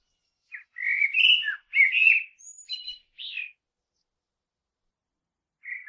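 A common blackbird sings a mellow, fluting warble that ends in a thin, squeaky twitter, then pauses before starting the next phrase. No other sounds are heard.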